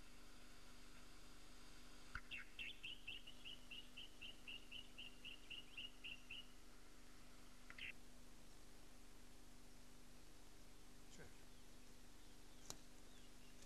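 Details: Regent honeyeater recorded in June 1997 in the Capertee Valley, New South Wales, with a Hi8 camcorder: a rapid, evenly spaced series of about a dozen sharp, high notes for four seconds, then one louder note, over steady low hum.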